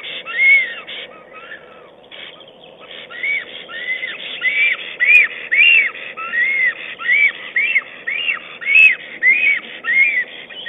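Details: Nest-camera recording from 22 April 2009 of a black stork calling its mate as it arranges twigs and moss: breathy, upslurred-then-downslurred whistles in a long series, halting briefly near the start, then running steadily about twice a second.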